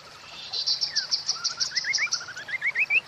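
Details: Song of a White-rumped shama, meant to bring birds into breeding condition: a steady series of high buzzy chips over a string of short, upward-curling whistled notes that climb step by step.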